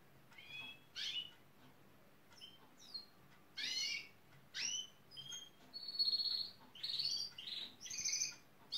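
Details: Gloster canary near a building site, said to imitate pneumatic drill and digger sounds to woo workmen; separate high whistled and buzzy phrases with pauses, then longer harsh rasping bursts and sustained high notes toward the end.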